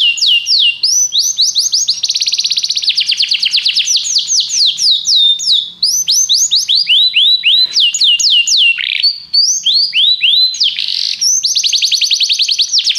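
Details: Canary song played for training other canaries: loud continuous high trills and rapid repeated whistled notes, rising and falling sweeps strung into long rolling phrases with almost no pause.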